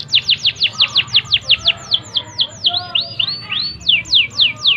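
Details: Canary song intended to trigger singing in other canaries: a steady run of sharp descending sweeps, slowing into softer curved, arching whistles, then a few more steep sweeps at the close.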